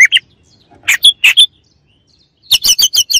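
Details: White-rumped shama giving harsh chattering notes in short clusters, ending in a rapid run of about six scratchy notes.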